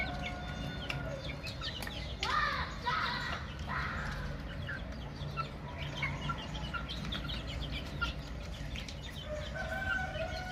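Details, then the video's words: Baby chickens peeping together in a flock: dense high, short downward-slurred chirps overlapping constantly, with a louder burst of calls near two seconds, over a steady low rumbling hum. "Chicks Chirping Sounds - Baby Chicken Sounds"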